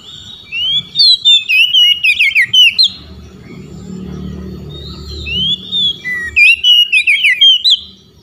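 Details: Oriental magpie-robin singing to call out rival magpie-robins, which answer back: two loud bursts of looping, slurred whistles with rapid notes, separated by a quieter stretch with low background hum.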